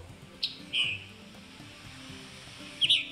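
A Scarlet Tanager gives its hoarse, two-part chip-burr call twice, a sharp note followed by a burry one, over faint people talking in the background.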